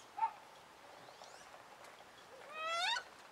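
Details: In winter, a female wood duck calls angrily after being moved to a different pond: a short soft note at first, quiet faint calls, then one loud drawn-out squeal rising steeply in pitch near the end.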